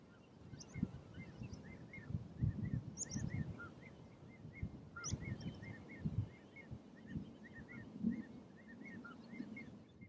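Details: Common linnet (Linaria cannabina cannabina) in Uitkerkse Polder, Belgium, in April 2019, twittering softly in a quick, continuous run of short chirpy notes with a few higher sweet ones, over a steady low wind-like rumble.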